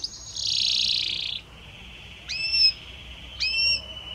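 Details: Harmonious Belgian canary song: a high buzzy roll drops into a lower sustained tone, crossed by two upward-hooked whistled notes.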